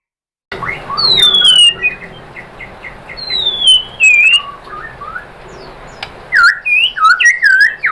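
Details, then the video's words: A white-rumped shama sings to provoke rival shamas into song: long high downslurred whistles alternating with short mid-pitched notes, ending in loud looping whistled phrases. "bikin MURAI BATU jadi NYAUT GACOR BONGKAR MATERI ¦ PANCINGAN MURAI ¦ SHAMA BIRD"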